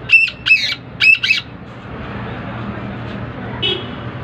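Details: Black francolin calling: two pairs of harsh, rasping notes in quick succession, then a faint later note over constant low rumble.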